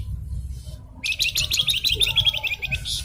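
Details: Gacor blue-winged minla (flamboyan) on masteran: after a near-silent second, one long rapid buzzy chattering trill runs about two seconds, with a low rumbling background throughout.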